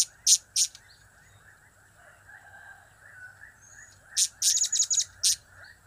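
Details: Blue-crowned hanging parrot in cap-cap, kiak-kiak and crap-crap call styles: two isolated shrill chips, a long pause, then a rapid rattling burst of high squeaky notes.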